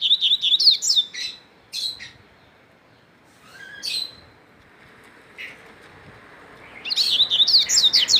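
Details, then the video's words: Double-collared seedeater singing strongly: quick warbled bursts of high, wavering notes open the recording, a few scattered chips follow during a quiet middle stretch, then another fast, jumbled twittering phrase closes it. "coleiro mateiro cantando forte"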